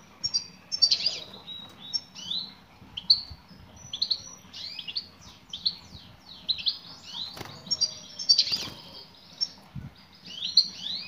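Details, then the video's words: A female European goldfinch gives calls meant to excite a male into singing. Rapid, high, chattering tweets continue steadily, with a single sharp click in the middle. "بتبتات أنثى مقنين أسمعها مقنينك وشاهد ماذا سيفعل حينما يسمع نداء الأنثى"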